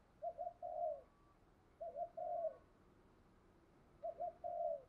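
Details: Spotted dove kept as a decoy, cooing to draw in wild doves. Soft, low three-part coos repeat about every two seconds over a steady background hiss.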